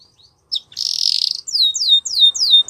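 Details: Song of a Belgian canary: a short chip, then a dense buzzy roll, followed by a series of four clear downslurred whistles repeated about twice a second.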